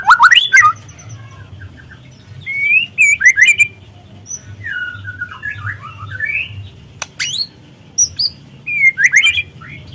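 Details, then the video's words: Juvenile speckled White-rumped shama (murai trotol) sung as a lure to stir other shamas into singing: sharp rising sweeps, short whistled slurs and scattered chips with pauses between phrases, over a low steady hum. "pancingan murai trotol agar terangsang untuk bunyi"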